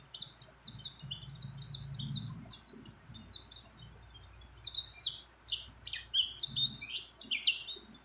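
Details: High, hurried twittering from a breeding-condition female mountain white-eye calling a male, long strings of sharp falling chirps with soft low murmuring beneath at times.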